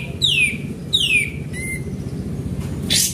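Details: Sooty-headed bulbul singing as a lure; two bright downslurred whistles about a second apart, then a short flat note and a noisy burst, over constant low rumble.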